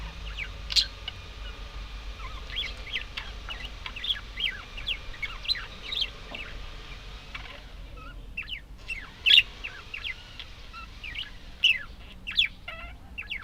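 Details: Budgerigars keep up a busy chatter of short, high chirps and warbles, irregular and overlapping, with a few louder squeaky bursts and a low steady hum beneath.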